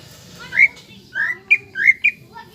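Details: Greater green leafbird singing, used to provoke young leafbirds into song: soft rising and falling whistled phrases, slightly muffled, over low background noise.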